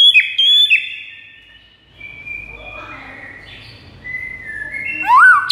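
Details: White-rumped shama master song used to lure rival shamas: sparse clear whistled notes near the start, a long gap of faint background hiss, then rising whistles and a sharp upward sweep near the end.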